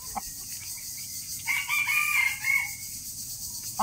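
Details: Rooster crowing: a drawn-out, harsh, harmonic call lasting about a second, opening with a rising note and holding a strained, wavering pitch before fading, with brief single clucks before and after.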